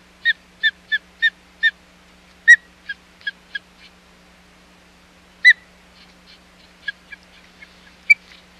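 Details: At the Hog Island nest, 25 July 2020, an osprey calls during a failed fish delivery: a fast run of five piercing chirps, then louder single whistles and shorter clipped notes, spaced unevenly with quiet gaps.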